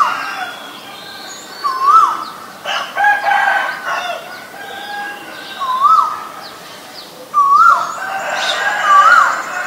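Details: Asian koel calling: short, clear, whistled notes that rise then dip, sounded about four times at intervals of two to three seconds. Rougher broadband calls from other birds run in the background throughout.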